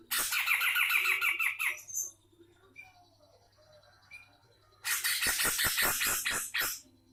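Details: Sumatran black-crested bulbul in energetic song: two dense bursts of rapid, harsh, chattering notes spanning high pitches, each lasting about two seconds, separated by a quiet gap with a few faint whistled notes; low steady hum underneath.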